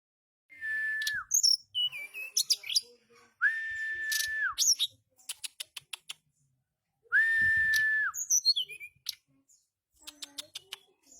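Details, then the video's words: Mountain flycatcher (tledekan gunung) in chattering ngeriwik song: long flat whistles ending in a quick dip, repeated twice, between bursts of high sliding notes, chips and rapid dry ticks. "Burung Tledekan gunung ngeriwik"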